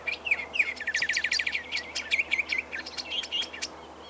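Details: Greyish saltator at Esperanza, Santa Fe, Argentina, in 2023, sings a rich, varied phrase of quick whistled notes and rapid chattering trills, with slurred rising and falling notes throughout.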